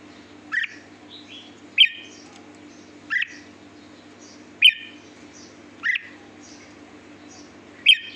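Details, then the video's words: Sweet-toned song of a red-whiskered bulbul: six crisp, bright chirped bursts spaced about every one and a quarter seconds, with faint higher twitters in between and a quiet constant background hum. "chào mào hót giọng hót ngọt lịm"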